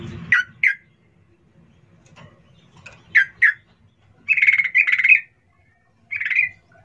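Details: Sooty-headed bulbul lure call used to provoke a fast reply: paired chuckling "cuk cuk" notes, then a longer bubbling run and a final short burst, with faint low rustles early on.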